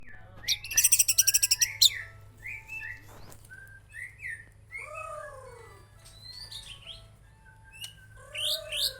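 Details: White-rumped shama from Aceh singing: a rapid buzzy trill of about a dozen pulses, then varied short whistled phrases, some rising and some falling, with slurred downward notes and sharp high chips, against a faint low hum.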